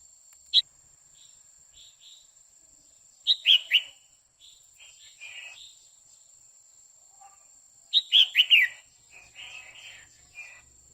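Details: Female red-whiskered bulbul singing continuously to stir a male: two bursts of three or four sharp, bright whistled notes several seconds apart, with softer scattered chirps and faint ticking between.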